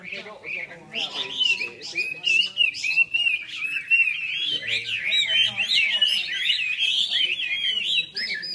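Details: Several red-whiskered bulbuls singing at a club gathering in Long Bien, 27 April 2014. Bright, rapid whistled warbles overlap continuously, and a low murmur of human voices runs underneath.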